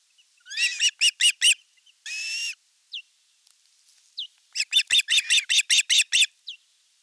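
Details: At an osprey nest in Finland's Satakunta region, August 2024, an elder chick attacks the younger during fish delivery: short series of sharp chirps, one harsh buzzy squeal, faint isolated notes, then a fast run of high whistles.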